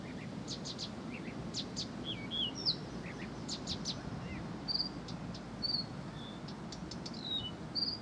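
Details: Blyth's reed warbler singing without pause; high thin chirps and short whistled slurs scattered over steady low background rumble, phrases repeated in quick succession.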